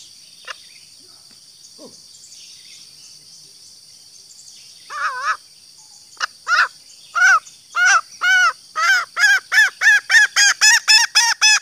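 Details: Female green junglefowl (Gallus varius) lure call aimed at males: sparse clicks, then a rhythmic series of loud, rich, arched cackles that speeds up toward the end, set against a persistent high-pitched insect buzz.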